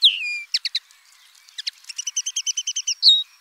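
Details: Common linnet in song, opening with a falling whistled slur. Scattered clipped chirps follow, then a fast, even series of doubled notes and a closing whistled note.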